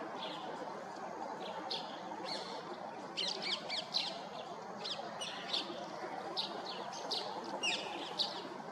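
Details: White-bellied drongo perched, giving a lively series of sharp, high chirps and short metallic notes, clustered in bursts from the third second onward over a steady background hiss.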